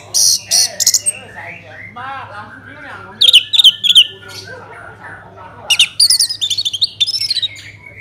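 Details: Orange-headed thrush song played to prompt other birds to sing: harsh squawky bursts, lower slurred phrases, then clusters of high chirps and a fast stuttering series of short notes near the end, over a faint steady hum.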